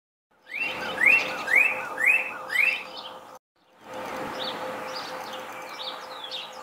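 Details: Male Northern Cardinal in Ohio, calling from a sunlit tree on a spring morning, 21 March 2021, gives four loud, slurred whistled notes about two per second; softer chirps follow, possibly other birds responding, over a low hiss.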